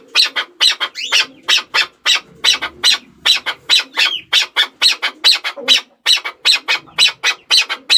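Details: Chukar partridge calls in a dense, less regular burst of harsh clucks and squawky notes, some overlapping, as if more than one bird is calling, with faint low rustling beneath.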